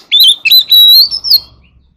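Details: Short phrase from an Oriental magpie-robin singing in a forest voice to gather its flock: a few quick twittered notes lead into one long, steady whistle that rises at the end.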